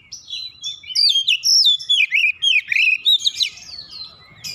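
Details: Oriental magpie-robin, provoked into aggressive display, sings a continuous rush of rich warbled whistles and quick chirps, varied and tumbling over four seconds.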